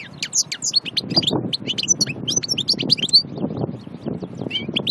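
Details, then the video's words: Annaba goldfinch from Aïn Barbar, Algeria, described as pure from nature, pouring out a continuous, busy song of high twittering notes, sharp chips and tinkling trills, with some low background murmur beneath. "Chardonneret Annaba Aïn Barbar 2"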